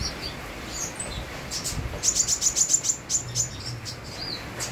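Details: Sunbird singing actively, with rain in the background: a fast run of thin, very high chirps about every quarter second through the middle of the clip. Quieter scattered twitters come before and after, over a steady hiss of rain.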